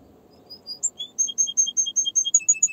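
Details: Canary song: after a soft hum of room noise, a steady string of short, high piping notes, alternating between two pitches and repeated several times a second.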